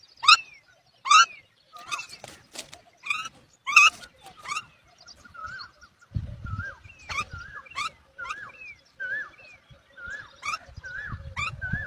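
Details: Mother myna calling her unresponsive chicks to feed; a series of loud, harsh, clipped squawks, then rapid runs of looping gurgled whistles, repeated irregularly, with some low rumbling noise.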